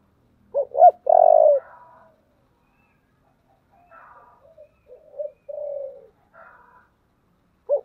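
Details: Spotted dove giving urging and calling coos in the deep 'thổ' voice style. Two sharp notes lead into a long, rich coo. A series of softer, scattered short coos follows, then a new phrase begins at the end.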